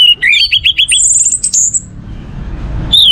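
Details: Orange-headed thrush singing, a lure to prompt other birds: quick repeated whistled notes followed by a thin, very high sustained phrase, then a pause and a fresh whistle at the end.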